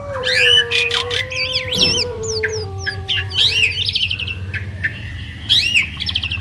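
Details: Pair of champion Asian pied starlings singing together, wavering whistled phrases and wiggling slurs over scratchy notes, while a long low drawn-out tone slides slowly downward beneath the first half.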